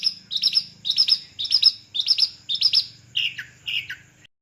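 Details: Long-tailed shrike of Madura type on a single perch, repeating doubled high chattering phrases about twice a second, ending with lower harsher slurred notes; faint low hum beneath.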